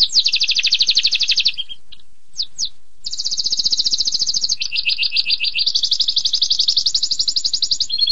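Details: Long canary song: extended rapid high trills, a short gap with two quick downslurred notes, then rolling trills alternating between higher and lower pitch levels.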